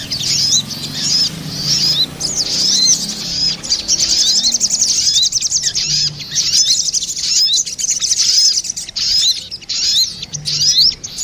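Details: Crested jays, a female and a male, calling back and forth as a lure recording: dense, high-pitched chirps and quick upslurred notes in fast overlapping bursts. Pace slackens after the midpoint, with short gaps between bursts.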